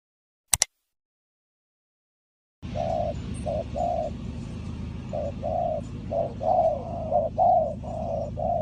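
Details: Spotted dove cooing as a lure for wild doves in trapping: low, hollow coos in uneven short phrases over a steady low hum, after a sharp click and near silence at the start.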